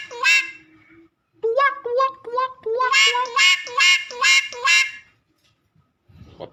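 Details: Talking Nias hill myna: a strident harsh note, a pause, then a run of about ten rhythmic duck-like quacks with rich overtones that grow louder midway, before a short rustle at the end.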